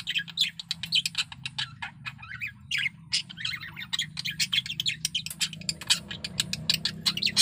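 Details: Breeding-condition male budgerigar giving a continuous fast warble, dense scratchy chirps and clicks running almost without break, over a faint low background hum.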